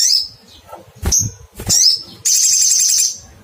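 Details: Crimson sunbird calling to find a rival: high, sharply falling 'cuitt' chirps, then a loud buzzy trill held for more than a second at the end, with faint low noise behind.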